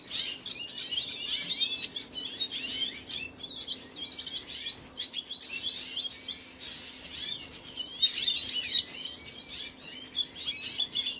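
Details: Long stretch of red siskin song, Venezuelan bird, 25 June 2022: sustained high twittering made of rapid chirps, buzzes and quick trills, rising and falling in loudness with brief dips between phrases.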